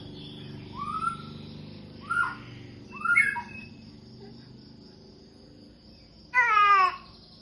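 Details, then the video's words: White-rumped shama after moult giving spaced whistled notes, short upslurred phrases about a second apart, then a loud rich warbling burst near the end, with faint background hum. "muraibatu Badut pasca mabung"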